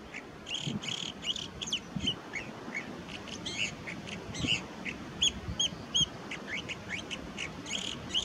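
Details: California Thrasher singing at Pillar Point Bluff, California: a varied run of harsh and clear whistled phrases, several repeated, over a low rumble of wind.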